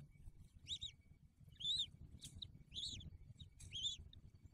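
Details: Bald eagle at the nest in December 2022 with a newly hatched eaglet: five loud, high, arched chirps, each briefly rising then falling, about one per second, above soft low rumbling.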